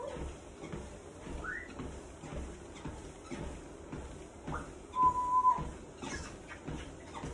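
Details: Pet Congo African grey parrot, a 35-year-old female, chattering indoors while her owner walks on a treadmill. A short rising whistle comes early, then a louder steady whistle midway, over rhythmic treadmill footfalls throughout.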